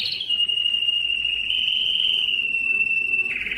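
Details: A yellow canary holds one long, steady whistled note for over three seconds, ending with a short higher rolled phrase.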